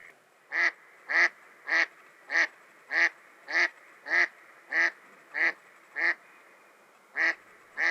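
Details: Wild female mallard on a spring beaver pond, quacking as she advertises readiness to mate with a male in pursuit; thirteen loud, nasal, clipped quacks in a steady series, roughly every half second, with a brief pause near the end.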